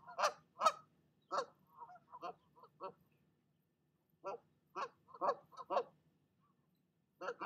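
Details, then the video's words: Nesting goose chasing off another goose that came to her nest; loud, blaring nasal honks in uneven clusters, quieter clipped notes between, then a pause of over a second before more honking. "Mama Goose does NOT like visitors, and she'll let you know it!"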